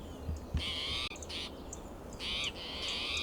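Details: Agitated spotted towhee calling loudly in Del Monte Forest, California, on a June morning while hopping between coast live oak and Monterey pine branches; three harsh, buzzy, drawn-out mewing calls, each about half a second, over low background rumble.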